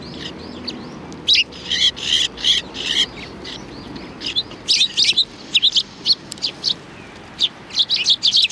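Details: Sparrows coming for food at a Tenmangu shrine, 7 February 2020: many bright chirps from several birds, in short rhythmic runs with brief pauses, against a faint background hum.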